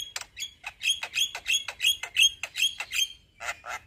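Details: Male black-winged starling in lively voice, giving a rolling song of rapid, evenly repeated sharp chirps with ringing whistled overtones, roughly three notes per second.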